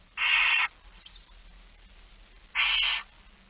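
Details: Barn owl begging at a feeding, 06:57 on 13 September 2019, Netherlands: two loud hoarse hissing screeches two seconds apart, with faint twittering between.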